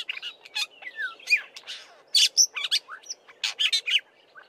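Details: Black-bellied Starling giving a rambling, varied song of quick chirps, squeaky whistles and buzzy notes, mixing in mimicry of a Fork-tailed Drongo and other local birds.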